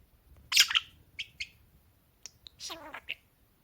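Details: Two pet talking parakeets; short bright chirps and squeaky chattering notes in a few scattered bursts with quiet gaps, one longer warbled phrase near the end.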